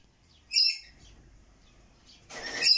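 A rainbow lorikeet gives two harsh, high screeches about two seconds apart, the second longer and rougher; nothing else is heard.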